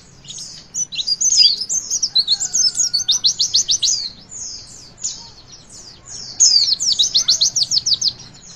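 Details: Javan white-eye song for stimulating young birds: two bursts of high twittering, each breaking into a rapid string of sharp down-slurred notes, with a quieter gap between them.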